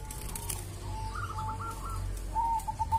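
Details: Local zebra dove from a sacred tomb site, said to have a distinctive voice; soft tonal coos held near one pitch with short rolling trilled bursts, the clearest at the end, over constant low rumbling background noise.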